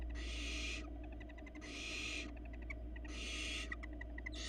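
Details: Barn owl nestlings in Florida beg from the feeding female with loud, wide-band hissing screeches lasting most of a second, alternating with faint rapid ticking clicks, all over a low electrical drone.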